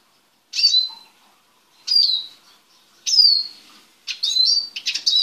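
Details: A male Eurasian siskin in a small cage, being prepared for mating, gives high, thin twittering phrases with wheezy sliding notes roughly every second, growing busier toward the end; no other sounds.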